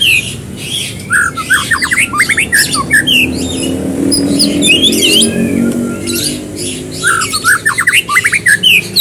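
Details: White-rumped shama in full, vigorous song, used as a prompting track to get other birds singing quickly: bursts of rapid, rising trilled notes and varied whistled phrases, with a steady low rumbling hum like an engine underneath.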